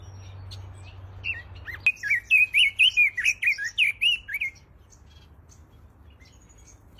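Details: Captive red-billed leiothrix (Pekin robin) in an aviary sings a rapid, warbled phrase of about ten bright, rolling notes over roughly three seconds, with faint chirps before and after.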